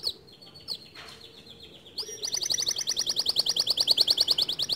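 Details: Male white canary, standard long song: thin faint notes at first, then a loud, rapid, evenly repeated rising trill running steadily to the end.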